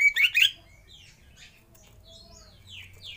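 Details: Oriental magpie-robin lure song, used to prompt other birds to sing: a loud burst of rich tumbling notes at the start, then softer scattered whistles rising and falling at intervals.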